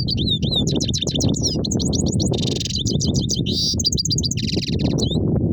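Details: European goldfinch singing a fast rolling song of bright twittered notes, tinkling slides and two short buzzy, wheezing trills, unbroken throughout, with a heavy low rumble underneath.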